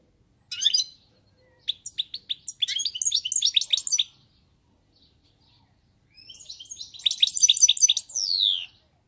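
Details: European goldfinch song: high tinkling twitters in bursts, a short phrase, then a longer run of rapid liquid chirps and trills after a silent gap, in a quiet setting.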